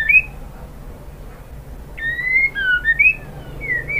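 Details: Female white-rumped shama calling to the male: a clear whistled note near the start, then after a pause a run of sliding whistles, some rising and some dropping, over a low steady background hum.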